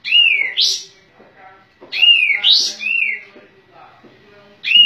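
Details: Sooty-headed bulbul in full voice with open tail: repeated phrases of a smooth slurred whistle followed by a sharp upward flick, given about every two seconds.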